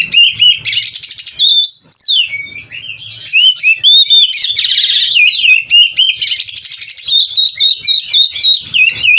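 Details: Oriental magpie-robin (kacer) from a breeder, pouring out 'gacor full isian' song. Fluid warbling whistles and high clear notes mix with dense buzzy rattles in quick, nonstop alternation.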